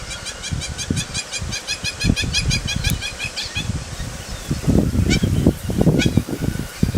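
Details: Hamerkop (Scopus umbretta) call: a fast run of nasal, yipping notes, about eight a second, fading after three seconds, over a heavy low rumble of wind.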